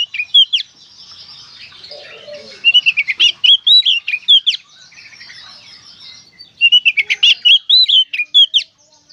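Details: Gacor konslet song of an Oriental magpie-robin, played to coax other magpie-robins into singing: a quick clipped phrase, a pause, then two rich bursts of rapid whistles and chirps with short silences between.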